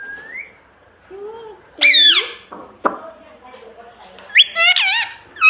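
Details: A pet parrot trained to say "mummy" and "papa": a soft whistled glide, a low hum-like tone, a sharp tonal squawk with stacked overtones, a click, then a rising and falling squawking phrase, with quiet gaps between.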